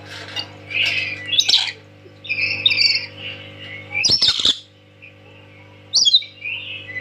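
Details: Tame parrot calling loudly; harsh broad squawks and bursts repeated every second or two, with a steady low hum behind.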